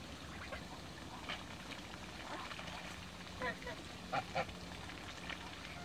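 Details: Toulouse geese, mature and young birds, swimming in a backyard; a few short, nasal honks break out near the end, two close together, against low background rumble and faint talk.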